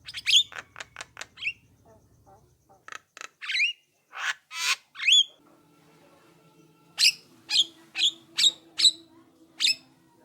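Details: Javan myna song meant to prompt other mynas to reply: rapid clicking bursts, then loud harsh squawks and rising whistles, ending in a run of evenly spaced sharp notes with faint low hum.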